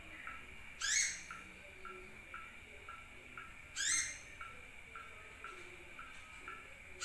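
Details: Sunbird lure call, played to attract other birds: two loud bursts of rapid, high, sharp rising chirps about three seconds apart, over a steady series of soft short ticking notes about twice a second.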